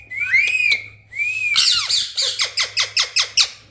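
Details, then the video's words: Parrot whistling two clear arched notes that rise then fall, then a rapid series of about eight evenly spaced, descending chirps. "parrot sound is beautiful"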